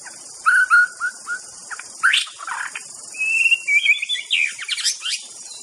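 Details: A white-rumped shama, used as a decoy sound for luring birds, sings varied, clear whistled phrases with quick slurred notes and rising trills, over a steady high-pitched hiss.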